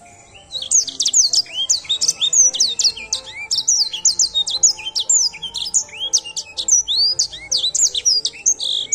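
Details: Edel sanger singing after a brief quiet start: rapid bursts of high, clear, down-slurred whistles and short trills, delivered in dense phrases with barely any gaps, over a soft low background hum.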